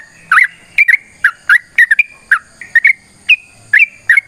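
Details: Fighting song of a sooty-headed bulbul, long and used to get other birds to respond; spaced bubbly whistled notes, often doubled, with soft low background rumble.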